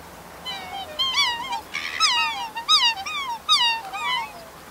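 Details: Group of black swans in a wetland watching two of their kind fight: loud, wavering, nasal bugling notes that rise and dip, given in quick runs about once a second, some overlapping.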